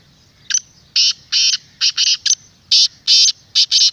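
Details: Black francolin call, a clear, resonant recording meant to excite a kept francolin or attract wild francolins: loud, harsh, buzzy bursts, about ten in four seconds, in irregular groups of one to three.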